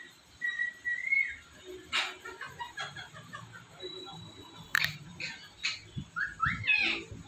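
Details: Indian ringneck parrot kept indoors, giving a thin whistled note and then a run of clicking, choppy mimicked syllables, ending in squeaky rising chirps; a low background hum is present.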